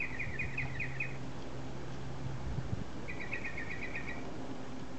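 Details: Bird calling from a tree it visits twice a day, its call known to change; two quick, high, even trills of rapidly repeated notes, each about one second long, separated by a pause, over a low constant hum.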